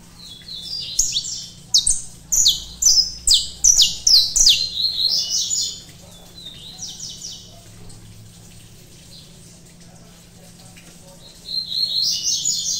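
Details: Mutation saffron finch kept as a pet, singing while still shy of the phone: a fast string of high, scratchy chirped notes for about four seconds, a quiet gap, then a fresh burst of chirping at the end.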